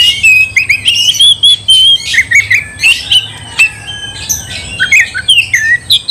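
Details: Oriental magpie-robin (kacer) in vigorous, fighting-provoking song: loud whistled notes near the upper range, rapid varied chirps and squawky bursts, with brief gaps between phrases and a faint steady hum beneath.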